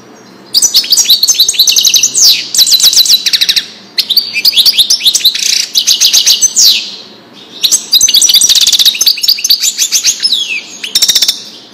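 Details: Wedani-style song of a European goldfinch, used to teach chicks: three long bursts of rapid liquid twitters, tinkling trills and upslurred whistles, separated by short pauses.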